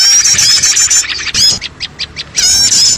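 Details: Lure sound for catching small birds: bright high chattering, then a run of about four quick separate chips, then the busy chatter returning.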